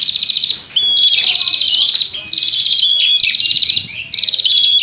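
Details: Excited prinia chatter during a fight. Several rapid, high, rattling bursts, each about a second long, are split by brief quieter gaps.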